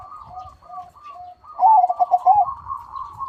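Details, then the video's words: Crossbred zebra dove (perkutut) with a big, loud voice, singing actively: soft low coos, then a loud rolling phrase of rapid bubbly coo notes around one second long. "PERKUTUT CROSSING GACOR SUARA BESAR"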